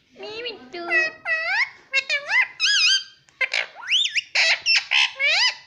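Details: Indoor pet ring-necked parakeet chattering rapidly: a dense run of harmonic, word-like syllables with rising and falling inflections, delivered in quick bursts about every half second.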